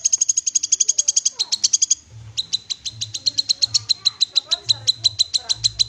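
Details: Kinoi, the black-capped babbler, giving a loud call for prompting a raw bird to sing: a long, fast rattle of bright metallic chips, briefly pausing, then continuing in an even, slightly slower chip sequence.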